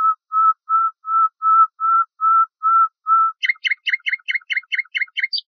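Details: Common nightingale song for tutoring Moroccan bulbuls: nine drawn-out pure whistles on one pitch, then an abrupt switch to a quick, rhythmic volley of high, sharp repeated notes.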